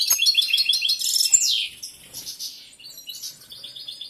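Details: Male European goldfinch, a caged competition bird in breeding condition, delivers a quick jangling twitter ending in a downward buzzy sweep, followed by quieter, sparse twitters and thin notes.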